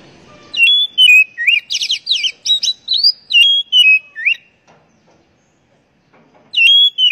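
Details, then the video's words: Oriental magpie-robin (kacer) song used to stimulate caged birds into full singing: a long run of clear whistles mixed with rapid buzzy warbled notes for about four seconds, a silent pause, then a new phrase beginning. "Pancingan Burung Kacer Agar Cepat Gacor"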